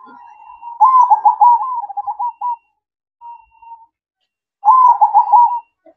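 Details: Zebra dove singing at night in the 'manggung' style. Soft, low, rolling cooing trills come in bursts of about two seconds, separated by quiet gaps broken by a faint short coo.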